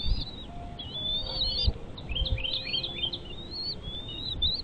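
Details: Bald eagle at a nest with chicks: thin, high slurred whistles rising and falling in quick overlapping bursts, with soft rumbling background noise.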